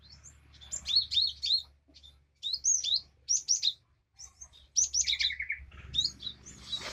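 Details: Java sparrow used as therapy to get a silent bird singing: rapid high chirping phrases with bright, bending notes, a short buzzy run near the middle, and a faint low hum underneath.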